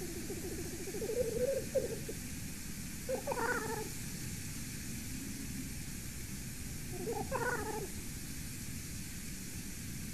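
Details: Black grouse calling in the evening, 6:37 PM on 8 September 2019, picked up by a Latvian forest live camera at a golden eagle nest; two strange, nasal, harmonic calls about four seconds apart over steady low background rumble.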